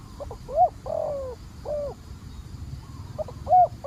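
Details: Spotted dove kept as a decoy to lure an aggressive wild dove, cooing in short hoarse, mellow phrases of two or three notes separated by pauses, over a low rural hum.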